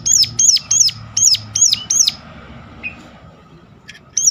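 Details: A Sunda warbler sharply calls to draw out song from other warblers: six quick high, downward-curving notes, a quiet gap with soft background hum, then one more note.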